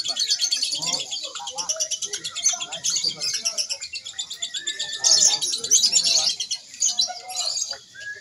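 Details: Contest lovebird in Indonesia, Single Fighter class practice event: a continuous high, rapid, buzzy chatter with rhythmic pulses, along with lower chirps and some human voices in the background.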